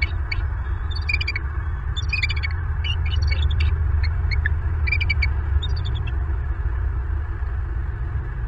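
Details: Bald eagle at a Southwest Florida nest, caught by a nest camera at 00:20 at night on 2 February 2023, giving bursts of high, chittering piping notes in short series over a steady loud low rumble.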